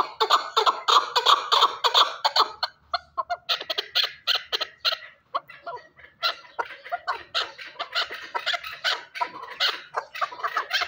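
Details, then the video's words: Chukar partridge from Shurobod calling in rapid harsh chuck notes, irregular bursts of rough clucking about three a second, dense at first, pausing briefly, then resuming in a long chattering series. "Кабки Сураки Қавоқ"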